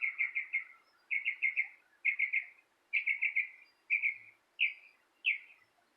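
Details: Bird chirping heard from a porch, sung in quick bursts of three or four bright, slightly falling chirps, the bursts spaced about a second apart and becoming single notes near the end, on a quiet background.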